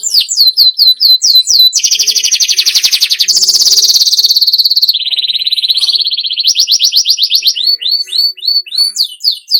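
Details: Canary song used to coax caged birds into steady singing: rapid slurred notes give way to long, rattling buzzy rolls at shifting pitch, then a clipped trill and crisp, regularly repeated upward-sweeping whistles.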